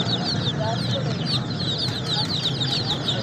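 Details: Baby chicks chirping: a busy overlapping stream of high, short peeping notes from several birds, continuous over a steady low hum.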